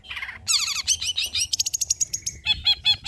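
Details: Rich old-style singing from a long-tailed shrike, used to prompt and tutor spotted shrikes. A low buzzy opening, dense high twitters, a rapid thin trill, then four evenly spaced downward-looping notes.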